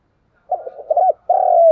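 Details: Decoy spotted dove cooing vigorously: a short, low, hoarse phrase of rough broken coos, then a brief pause and a long, steady, drawn-out coo that falls slightly at the end.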